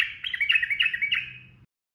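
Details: Sooty-headed bulbul, ropel singing for masteran: one short warbling phrase of quick bubbly notes, rising and falling, fading out after about a second and a half over a quiet background.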